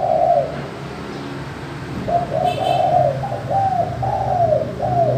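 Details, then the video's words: Spotted dove calling in the crystal-clear manggung style, a lure for doves slow to call: one soft coo, a gap, then a steady string of five or six mellow, slightly falling coo notes over low background hum. "Tekukur/ Derkuku suara kristal manggung"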